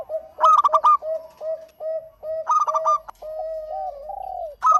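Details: Local zebra dove repeating its song: crisp bursts of rapid, bell-like coos alternate with a steady train of short low hoots and one longer drawn-out, wavering coo.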